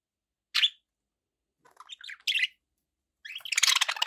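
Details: Domestic budgerigars call sparsely: a single sharp chirp, then a few quiet warbled notes, a louder squawky chirp, and finally a dense burst of scratchy chatter.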